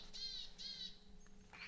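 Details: A willow tit in a forest in northern Sweden, on a morning full of alarm calls from several magpies, gives two harsh, nasal, buzzy notes in quick succession, then a fainter third, over a low steady hum.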